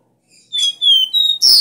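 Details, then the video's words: Copper seedeater (caboclinho) song in the strong 'dó ré mi' three-note style, used for training a caged bird. Clear high whistled notes, each held and gently slurred, ending in a loud buzzy burst. "CANTO DO CABOCLINHO VERDADEIRO - DÓ RÉ MI"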